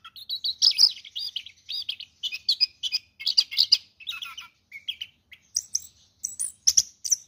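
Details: Caged orange-headed thrush, a praised competition bird, singing rapid chattering phrases of mid-high notes, then sparser sharp whistles and high chips toward the end.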